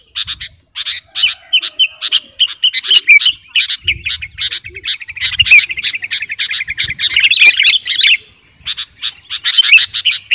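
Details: Kutilang garuda, a sooty-headed bulbul, singing hard as a master recording for luring: dense stream of rapid chirps building into a fast rattling trill, then pausing before more quick notes; thin steady high whine behind.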